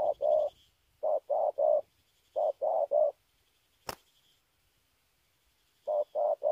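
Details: Spotted dove from Kon Tum giving low, mellow cooing phrases of three soft hollow notes, each phrase repeated after a pause of about a second, with one sharp click midway and otherwise quiet surroundings.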